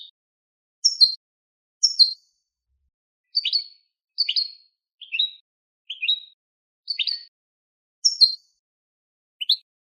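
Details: Goldfinch × linnet hybrid, used to stimulate other birds to sing, gives short, bright twittering chirps, each a quick high note cluster, spaced about one per second with clean silence between.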